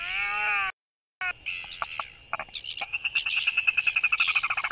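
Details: Male royal albatross incubating an egg on its nest gives a skycall greeting to a visiting blue-banded albatross resting beside him: a drawn-out harmonic groan, a pause, then a run of rapid clattering pulses that speed up.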